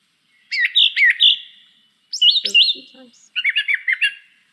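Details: A brown thrasher sings rich, bright phrases, each repeated only twice before switching, shorter repetitions than a mockingbird's, with three doubled phrase groups in four seconds and brief pauses between.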